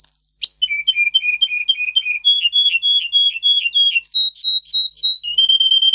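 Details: Russian singer canary song made for canary training: a high note, then a rapid low trill, a slightly higher rolling tour, a series of high looped notes and a final steady whistled tone, each part a string of quick repeats.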